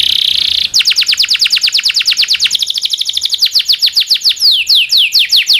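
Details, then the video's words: Canary master song for tutoring other canaries: a brief steady buzzy tone gives way to a long rapid roll of descending chirps, ending in slower, wider downslurred whistles. "SUARA BURUNG kenari gacor cuit cuit ngerol panjang ini buat MASTERAN KENARI dan PANCINGAN KENARI"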